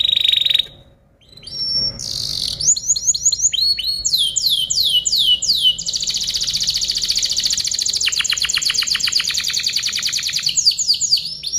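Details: Tutoring song of a canary for other birds: long varied song with rapid repeated downward-sweeping notes, dense buzzy trills and fast clicking rolls, changing tempo every few seconds, loud and continuous.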